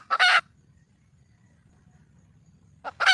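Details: Red junglefowl hen calling for a male: two loud, harsh, noisy squawks, one at the start and one at the end, separated by near silence with a faint low rumble.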